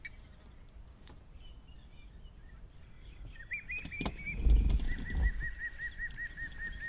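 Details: Hamerkop giving a steady string of short arched yelping notes after a quiet start, with a loud low rumble of handling or wind noise beneath.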